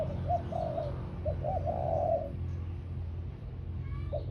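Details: Spotted dove used as a ground decoy bird, cooing in short low hollow phrases: a few quick rising notes, then a longer warbled coo. Phrases repeat over a steady low hum.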